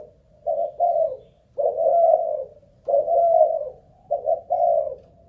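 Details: Caged Malaysian-line spotted dove used as a ground lure, tested for steady singing, produces soft paired coos followed by longer husky drawn notes, repeating the sequence in a quiet room.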